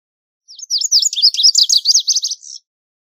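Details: Song of a Lazuli bunting, a fast run of high, sharply slurred chirps, about a dozen notes in two seconds, starting sweet and turning buzzier toward the end, over otherwise quiet surroundings.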